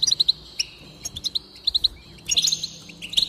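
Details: Goldfinch singing, played to encourage other goldfinches to sing: short bright twittering notes in quick runs, tinkling trills and a few buzzy slurs, with brief pauses between phrases.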